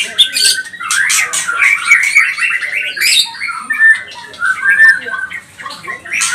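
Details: White-rumped shama of the pastol type, used as a lure for emotional singing. Harsh, squawking phrases and chattering notes mix with slurred whistles, and the volume rises and falls.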